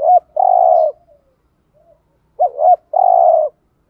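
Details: Spotted dove giving 'thúc gù' cooing to attract wild doves. Two phrases about 2.4 seconds apart, each opening with a quick warbled double note and ending in a sustained, even low coo.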